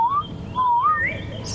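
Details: On a warm morning safari drive, a southern boubou, a kind of shrike, gives clear, liquid whistles that slide upward: a short rising note, then a longer wavering one climbing higher, over a low outdoor rumble.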